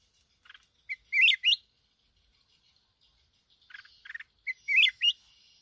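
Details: In Bình Thuận, Vietnam, a trapped wild red-whiskered bulbul from the mountains sings swooping whistled phrases twice, each opened by soft chirps, with scratchy twitters in the pause between them.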